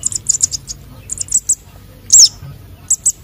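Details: Young konin and sogon sunbirds calling for luring: soft, high chip series, then one loud, thin, slurred squeak followed by a few more clipped chips.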